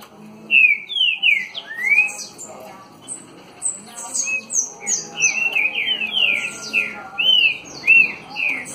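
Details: Green-winged saltator, a captive male, singing loud, rich whistled phrases of slurred rising and falling notes, repeated in quick bursts with a few higher chips between.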